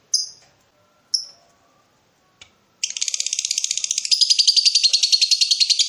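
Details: Lovebird calling to provoke a rival while in breeding mood: two sharp high chirps, a click, then a long rapid buzzing chattering trill gaining in loudness.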